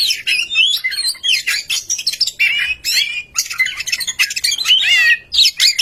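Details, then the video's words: Oriental magpie-robin singing as a lure to make other magpie-robins sing: harsh, scratchy, jumbled phrases mixed with twisting whistles, delivered in loud overlapping bursts with brief pauses. "Kicau Merdu burung murai kampung suara pemikat"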